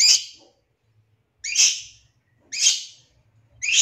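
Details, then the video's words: Long-tailed shrike song used to draw a shrike into singing: four loud, harsh, rasping screeches, each fading away, repeated roughly once every second. "Langsung Nyaut Pancingan Suara Pentet Bahan Agar Cepat Bunyi & Emosi"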